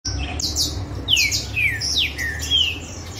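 Several green-winged saltators sing over one another in loud, clear whistled phrases that slide downward, about one every second, over a low steady hum.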